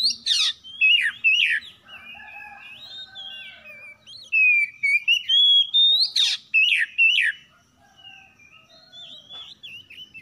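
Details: Oriental magpie-robins trading harsh song in the morning, a lure recording: bursts of scratchy notes mixed with wavering whistles, a long sweet rising-falling whistle near the middle, a second scratchy burst, then softer whistled notes fading out.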